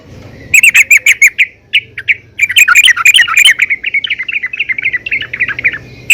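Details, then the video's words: Female yellow-vented bulbul calling to others of its kind: a burst of sharp chirps, a short pause, then a long rapid bubbling chatter that tapers into spaced notes. "PANGGILAN BURUNG TRUCUKAN BETINA GACOR||MEMANGGIL TRUCUKAN LAIN AGAR RAJIN BUNYI"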